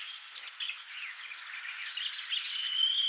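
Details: Brown-eared Bulbul, Taiwan subspecies, on Yonaguni Island, Japan: a run of quick, scratchy high chirps ending in one drawn-out, piercing whistled note over a steady background hiss.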